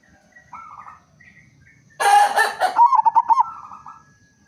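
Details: Local zebra dove used as a lure to set other doves singing: faint coos at first, then a loud rough burst and a quick string of rolling coo notes ending in a longer drawn tone.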